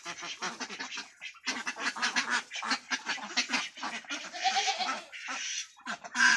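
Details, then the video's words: Big flock of farm ducks in West Bengal, India, harsh quacking in dense bursts from many birds, with brief pauses between runs. "Duck Sound"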